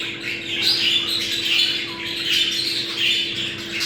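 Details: Budgerigar mating chatter for bringing birds into breeding condition: warbled squawks and chirps from several birds running without pause, over a low steady hum.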